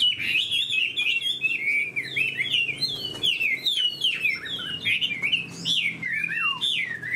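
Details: A spread-tail Chinese hwamei kept caged, shown with an eagle-wing display and praised as a good fighter. It pours out a continuous, varied song of looping whistles, ending with a long descending slur.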